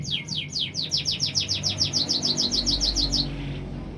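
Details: Canary singing a rapid series of about seventeen clear downslurred whistled notes, roughly five per second, ending abruptly, over a low background hum.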